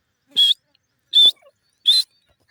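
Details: Three loud, shrill, slightly rising notes from a grey francolin, or teetar, spaced roughly three-quarters of a second apart with silence between.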